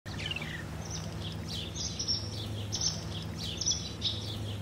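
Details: A hungry young barn swallow fledgling gives thin, high twittering chirps in short bursts about once a second, over a steady low engine-like hum.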